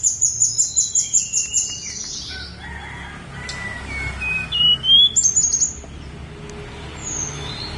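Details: Snowy-browed flycatcher on Gunung Songgo Langit: a fast series of very high, sharp chirps, then a pause with faint scattered notes, then another short burst of high, thin whistled notes.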